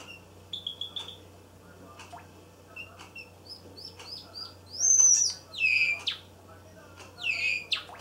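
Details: A young pied Java sparrow about 224 days old, male, sings indoors, still practising his song: soft high clicks and bell-like notes building into louder ringing, downward-sliding phrases, dropping out midway, recorded 13 May 2015.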